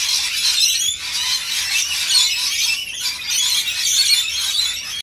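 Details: Rainbow lorikeets being fed; a dense, unbroken wash of shrill, harsh screeching and chattering from many birds at once, with brief lulls near the first and third seconds.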